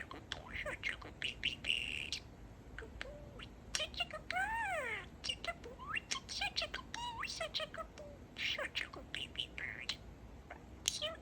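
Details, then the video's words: Pet male budgerigar talking and chattering, a bird known for saying "Peeka-boo": dense run of warbled, wavering tones, rising and falling sweeps, sharp clicks and scratchy bursts, almost without pause over eleven seconds. "Talking Parakeet"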